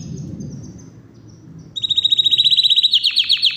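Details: Yorkshire canary singing powerfully and non-stop: after a faint high note, a loud rapid trill of rising-falling notes starts, repeated about four times a second and climbing in pitch toward the end.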